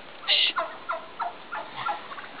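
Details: Midget White turkeys mating, the tom displaying to a receptive hen; a loud high squeal opens, followed by a quick series of four or five yelping clucks.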